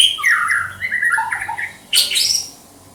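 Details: White-rumped shama from Banda Aceh singing: a quick run of varied whistled and chirping notes, some falling, ending in a harsh burst, recorded indoors with a low hum.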